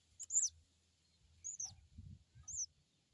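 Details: Crested jay crecet call, played as a lure to prompt a new bird to respond: three short, high, arched chirps, the first doubled, spaced about a second apart over a faint low hum.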